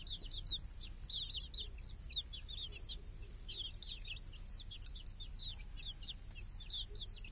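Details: Hens and chicks grazing in a village under a cage that guards them from crows and hawks, clear summer day; continuous chorus of thin, falling cheeps from many chicks, fairly even throughout, with faint low noise.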